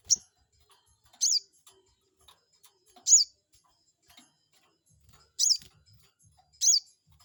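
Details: Crested jay lure for stirring up a rival: five sharp, high, squeaky calls with rapid rising and falling pitch, spaced unevenly over seven seconds, with faint clicks in between.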